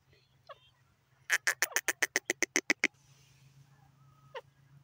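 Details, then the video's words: Francolin giving a rapid run of about eleven sharp, evenly spaced clicking notes, preceded by a soft chirp and followed by one faint note, with a constant low electrical hum beneath. "teeter ki awaz teeter ki boli"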